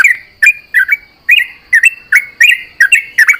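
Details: Sooty-headed bulbul at dawn, answering companions with a rapid series of short, fluty, warbling notes rising and falling in pitch, about three each second, over a faint constant hum.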